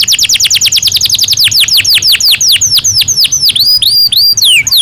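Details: A Belgian canary sings, for daily stimulation and training: a fast series of falling whistled notes gradually slows, ending in a few rising, curling slurs.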